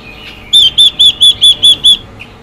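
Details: Female Chinese hwamei used to stimulate males: seven clear, arched whistles delivered in a steady, even series.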